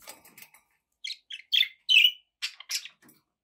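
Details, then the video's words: Kept budgies giving a few separate chirps: faint twitters, then distinct short squeaky notes about every half second, the loudest a slightly drawn-out buzzy chirp. "budgie sounds with background noise for relaxation"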